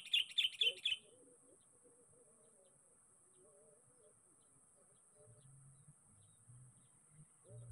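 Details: A sooty-headed bulbul calling for a rival, used as a lure, gives four bright, quick chirping notes in about a second, over a thin steady high whine and faint low rumbles.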